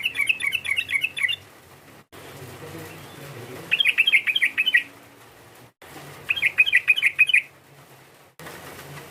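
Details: A sooty-headed bulbul's provoking lure call: three tight bursts of about six quick, bright chirps each, spaced a couple of seconds apart, with faint low hum between.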